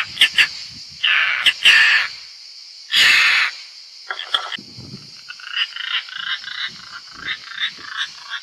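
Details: European roller at a nest in Italy as the fifth young flies out: loud, raspy, broadband calls, some drawn out for about half a second, mixed with short harsh notes, over a steady high-pitched hum.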